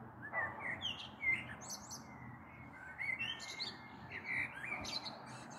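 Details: A blackbird singing in the evening of 21 April 2022, recorded from a balcony as a storm may be approaching: short, low, fluty phrases, each ending in a thin, high twitter, against soft steady hiss.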